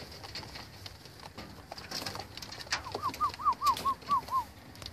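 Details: Red bar racing homing pigeons, with a quick series of seven arched, squeaky notes in the second half, each rising then falling, after muffled shuffling and a faint knock.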